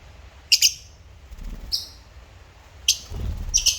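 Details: African lovebirds chirping: short, sharp, high chirps in brief bursts, four in under four seconds, some doubled, over a low background rumble.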